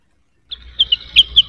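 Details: Cucak wilis, provoked into singing while seeking a rival, gives a short string of bright, high chirps over a faint low hum.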